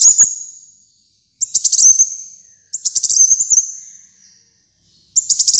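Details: High-pitched sunbird song, the kolibri muncang, used as masteran material: three bright chattering bursts, each trailing off into a fading whistle, separated by brief silences.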